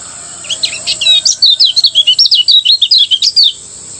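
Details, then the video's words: Lemon-bellied white-eye from Lombok singing in the morning in the ngejos style: a fast, continuous run of high, sharp chirping notes, about four per second, that lasts roughly three seconds over a steady high hiss. "masteran kecial kuning ngejos di pagi hari membuat kecial kuning anda ikut bunyi"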